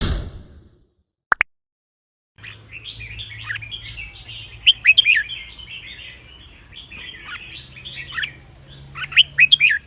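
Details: Red-whiskered bulbul song in the counting (nap dok) style, played to teach young caged birds and stir birds to sing along. A click, then steady twittering chatter, with loud bright warbled phrases bursting out twice over a low hum.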